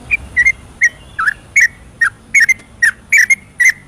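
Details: Nighttime ropelan song of a yellow-vented bulbul, used to stimulate stalled birds. Sparse, sharp whistled notes, some single and some in quick pairs, separated by short silences.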